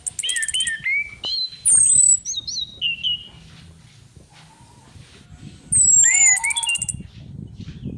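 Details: Female orange-headed thrush, recorded as a lure to excite other thrushes: clear warbled whistles slide down in pitch, and a loud, thin, high whistle sweeps downward twice, with a short buzzy trill at the start.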